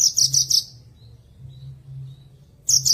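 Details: Branjangan singing for birds that stopped singing after moulting: a fast high buzzy trill, a pause with faint thin whistles, then the trill starting again; quiet background hum.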